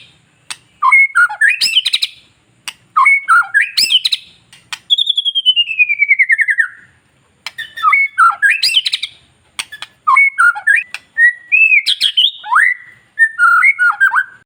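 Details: Long-tailed white-rumped shama, kept bird, song used to get other shamas singing: repeated bursts of rich whistles and chattering trills, plus a long descending rattling trill in the middle.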